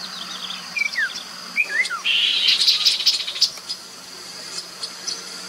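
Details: Along the Mekong in Nakhon Phanom, Thailand, 2021, a Chestnut-capped babbler used as lure sound gives two sliding, downward whistled phrases, then a rasping buzzy chatter lasting over a second, with a steady insect drone throughout.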